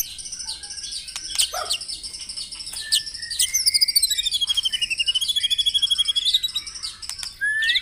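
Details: White-rumped shama song for morning dew-time, used to stimulate caged birds to sing: varied high whistled phrases, then a long rapid trill of repeated notes sliding slightly downward, ending with short sharp rising whistles.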